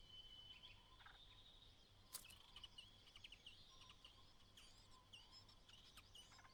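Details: White-browed laughingthrush (Pterorhinus sannio) mother outside the nest calling her only chick out to fledge on its final day, with harsh chattering bursts and a thin high whistled note over a low background hum.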